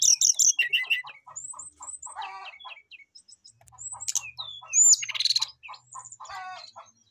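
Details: Brown-chested jungle flycatcher singing a fluting song to call a rival: varied high whistles, sharp descending notes and buzzy trills, over a steady row of short low chirps repeated about five times a second.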